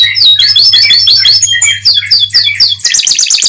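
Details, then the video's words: Atlantic canary song meant to get other canaries singing: varied high chirps and slurred whistles in quick succession, closing in a rapid bright rolling trill, with a steady low hum underneath. "Suara Burung Kenari Untuk Memancing Kenari Agar Tetap Gacor"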